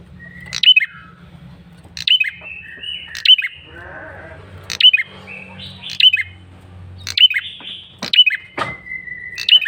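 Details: Persistent lure call of a male red-headed prinia: loud, sharp chirps with a flicked ending, repeated about every second, thin drawn-out whistles between them, a brief rustling patch in the middle and a low background hum.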